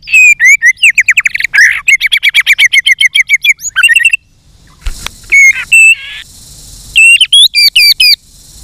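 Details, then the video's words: Combative song of a white-rumped shama, sung with tail-flicking and many voices. A rapid, regular rattle-like series of buzzy notes gives way after a pause to separate clear whistles and looping slurred phrases. "chòe lửa hót đánh đuôi thái độ.kích chòe lửa hót đấu. chòe lửa hót nhiều giọng căng lửa"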